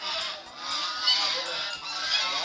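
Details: Angry wild geese calling, known locally as ganza, giving harsh, nasal honks that overlap in an agitated chorus of rising and falling bursts, with a man speaking Tagalog nearby.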